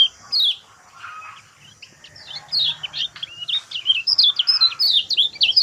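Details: Lemon-bellied white-eye lure song to make a mute bird sing: scattered high chips at first, then quickening into a steady stream of shrill, twittering, downslurred notes.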